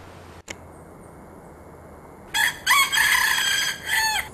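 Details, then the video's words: Wild red junglefowl in forest at Pangkep, Sulawesi, gives a loud, harsh crow of several broken, rising and falling notes lasting about two seconds, after a quiet start with one sharp click. "Ayam Hutan Merah Berkokok Nyaring di Alam Bebas"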